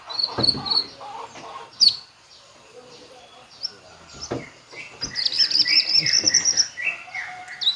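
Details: White-rumped shama singing a full varied repertoire: clear high whistled phrases, sharp chips and a fast trilled run of rising notes, with brief human speech in the background.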